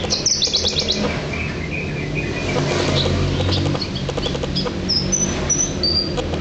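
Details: Horsfield's bush lark, a local East Java bird, giving high, thin chirps and whistled slurs over a steady low rumble.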